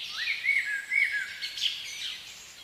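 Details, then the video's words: In a spring forest, a common blackbird sings mellow, fluted phrases that slide and warble throughout, with other birds chirping high above it. "Blackbird Song"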